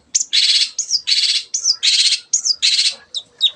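A Long-tailed Shrike gives four harsh, rasping bursts, each after a thin high whistle, about one every 0.7 seconds, ending in short squeaky notes.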